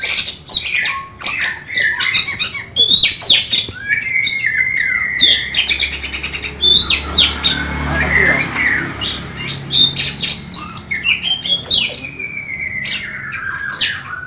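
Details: Kacer (Oriental magpie-robin) kept as a songbird, singing loudly with rough fill-in notes: varied whistled phrases, sliding notes and rapid buzzy bursts in quick succession for fourteen seconds, with brief chatter-like harsh notes between.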